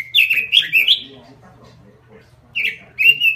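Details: Caged robin singing in a small cage: a burst of rich, tumbling whistled notes, a pause with low voices in the background, then two more bright phrases.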